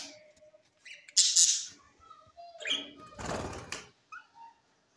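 A parrot gives a mix of harsh squawks and short chirps, with a loud broadband screech near the middle, with brief quieter whistled notes between calls.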